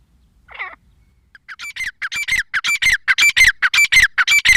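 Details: Female grey francolin call building from a faint opening note into a loud, regular series of harsh ringing squawks with falling whistled tones, about two per second.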